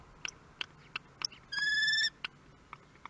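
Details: Newborn common kestrel nestlings receive their first meal at a nest in Théding, France, 23 May 2022; a single steady, buzzy harmonic call of about half a second stands out among soft scattered clicks.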